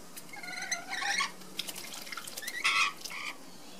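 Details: Two rainbow lorikeets bathing on an afternoon in Sydney, giving harsh, grating screeches in short bursts, one near the start and another louder burst about two and a half seconds in, with faint water sounds.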